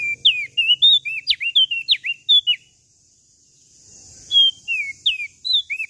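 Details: Tailorbird in full, lively song, used as a lure to stir other songbirds into singing: clear whistled notes, some rising and some dropping sharply, in quick varied series, with a short pause mid-way and a faint hiss behind.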